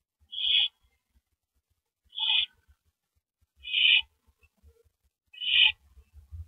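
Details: Owl nest at night, 9 April 2012 at 7:58 PM, first mouse delivery of the night: four short, quieter hissing rasps spaced about one and a half seconds apart, with faint low rustling.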